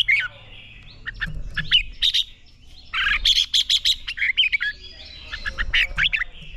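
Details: Red-whiskered bulbul singing a training song to push a bird toward clear, fiery competition singing; bright warbled and chirped phrases in bursts, a run of quick sharp notes near the middle, with other birdsong audible behind.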